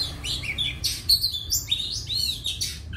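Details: Caged Oriental magpie-robin near the end of moulting. It delivers a varied song of sweet whistles, upward slurs and buzzy trills, packed closely together in a continuous high-pitched stream.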